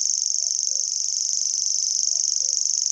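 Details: Common grasshopper warbler song, Šumava, 2014: a steady, very high, insect-like reeling trill without a break, with faint low whistled notes in the background.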